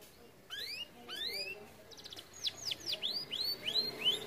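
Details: Overweight canary reluctant to sing: two long upward-sliding whistles, a short high buzzy trill, then six evenly spaced arching notes in a steady rhythm.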